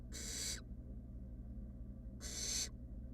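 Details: Two harsh, airy hisses about two seconds apart come from wild barn owl nestlings sitting together in a research nest box, with a low steady hum between them.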